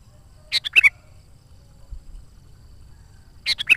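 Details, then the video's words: Sooty-headed bulbul in active song for luring wild birds: a chirpy three-note phrase, then after about three seconds the same phrase again, each ending in a bright whistle. "SUARA BURUNG KUTILANG GACOR"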